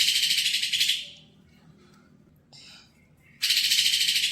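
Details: Caged untrained greater green leafbird bought at a bird kiosk, singing dense, harsh, rapid chattering bursts, high-pitched and buzzy, about a second each, separated by near silence and a brief fainter note; faint low hum underneath.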